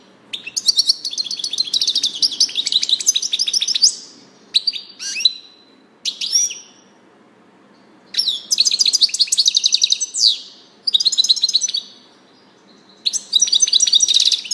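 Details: European goldfinch song: rapid liquid twittering phrases of high notes, delivered in bursts of two to four seconds separated by short silences, with a few isolated sharp chips between phrases.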